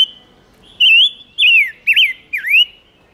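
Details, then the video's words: Lure recording of a silver-eared mesia singing to draw in wild birds and rouse males: four loud rich whistles, each swooping down and up, delivered in a quick uneven phrase. "Chim ngũ sắc mồi gọi bổi cực nhạy/Tiếng chim ngũ sắc hót kích trống căng lửa"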